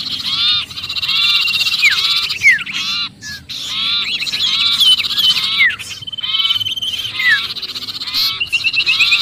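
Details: Sirpu giving frantic distress calls as if trapped, used as a lure for other birds: a dense, noisy chatter of harsh rasping notes mixed with many short, sharply rising and falling whistled squeaks, overlapping continuously with brief pauses.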